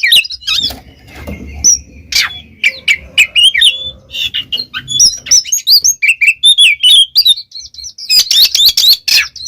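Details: Oriental magpie-robin singing in the gacor ngeplong style, a loud, rich run of varied whistled phrases, sharp chips and slurred notes between mid and high pitch, with brief pauses and a denser burst near the end.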